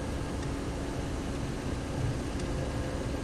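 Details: Continuous low engine rumble and broad hiss from a vehicle outdoors at sunset, with no animal calls.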